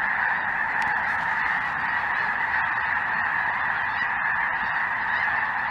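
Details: Sky-filling flock of Snow Geese alongside Greater White-fronted Geese in southern Indiana on a chilly winter afternoon; a continuous roar of overlapping honks, slightly more distant and even in tone.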